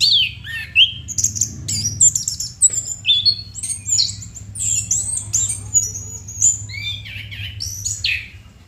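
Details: Chestnut-capped thrush in full, vigorous song: a rapid, nearly continuous stream of varied high whistles, trills and squeaky notes over a low, steady background hum.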